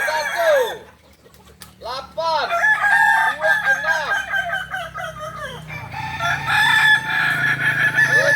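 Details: A Kokok Balenggek crowing practice in Ampang Kualo, Kota Solok. An early arched crow is followed by a pause, then long stepped sequences of curved syllables from several roosters, with a faint low hum beneath.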